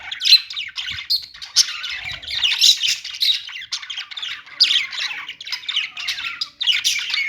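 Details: Parakeet chirping from budgerigars, a busy jumble of high squeaks, rising and falling whistles and grating squawks, repeated in lively rolling phrases.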